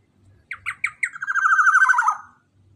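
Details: Loud black-naped oriole call meant to lure other orioles: a few clipped, spaced notes running into a long, wavering nasal buzz that falls at the end, with a faint low hum behind.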